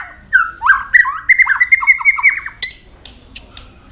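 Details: White-rumped shama singing many varied notes while tail-flicking: a rapid rich warbling run of slurred whistles, then a few sharp high bursts spaced apart.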